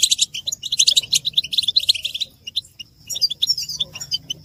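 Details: Collective goldfinch chatter with mating calls, played to prompt males to sing; a burst of dense, bright twittering fades after about two seconds, a short lull follows, then sparser sharp tinkling notes resume.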